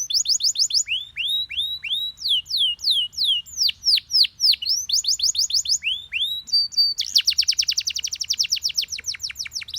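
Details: Yellow Belgian canary singing strongly: bursts of fast trills alternate with repeated downward-curving whistles, then a long rapid rattling trill closes the phrase.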